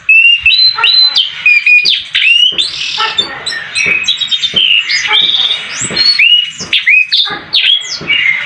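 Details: White-eye in fresh new plumage starting to sing in full voice, pouring out a rapid, jumbled chatter of high whistles, upslurred chips and scratchy notes, with brief louder bursts roughly every second.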